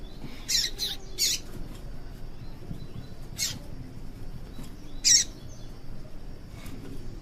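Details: Female yellow-bellied seedeater piping to prompt males to sing. A rapid cluster of three sharp high chips, then spaced single chips at irregular gaps, over soft constant noise.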